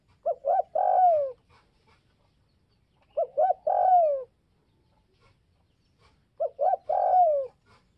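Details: Provoking call of a spotted dove from Northwest Vietnam, meant to rouse other doves: three phrases roughly every three seconds, each two short looping coos then a long downward-sliding coo, with faint background ticks.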